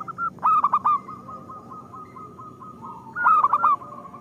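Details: Local zebra dove song used as a lure to prompt other zebra doves to sing: two bursts of rapid, clipped cooing notes at a steady mid pitch, each burst a quick staccato run, with a faint humming background between.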